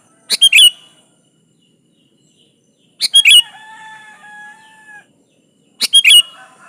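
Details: Sooty-headed bulbul in strong song, meant to lure a rival: three bubbly three-note phrases nearly three seconds apart, with faint, thin sustained whistles of another bird after the second.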